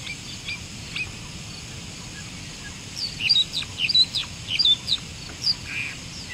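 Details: Wild long-tailed shrike singing actively: after a quiet start, a burst of rapid, scratchy and chirpy high notes with short whistled squeaks, tumbling irregularly over about three seconds, over a steady hiss of background noise.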